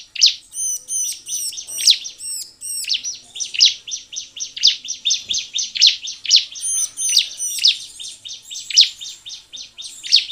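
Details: A bar-winged prinia in full song, used as a lure to get other prinias singing, gives a fast, steady run of sharp, high chirps, about two each second, with brief bursts of thin, higher looping notes.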